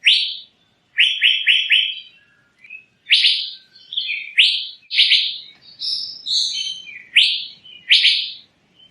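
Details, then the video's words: Asian fairy-bluebird delivering a lively series: a fast run of four rising whistles, then varied single upslurred notes and short warbled phrases, one after another with little pause. "Burung Cucak Biru"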